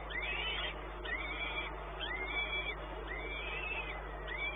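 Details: At Płock on 1 May 2019, a peregrine falcon gives slow, arching, plaintive calls about once a second, each rising then falling, with a steady low hum behind.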